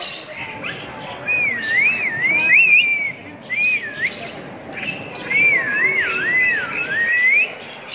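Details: African grey parrot as children try to coax it into speaking; pure whistled notes that wobble up and down in wavy phrases, in three bursts of one to two seconds separated by short pauses, with faint background voices.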